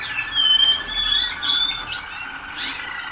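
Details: Young Waterslager canaries in a 2010 song school, a few days into training with much still to learn: thin whistled notes near the top of the range, drawn out and wavering, with short rising slurs and a steady faint background tone.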